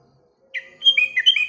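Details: Sooty-headed bulbul singing in the morning among other nearby birds: a brief bubbly phrase of quick liquid whistled notes, rising and falling, over a faint steady low hum.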